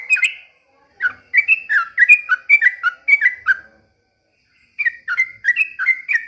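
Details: Yellow-vented bulbul singing energetically in the manner of a white-rumped shama, delivering rhythmic paired whistled notes that swoop down and up, about four a second, broken by a one-second pause before the pattern resumes.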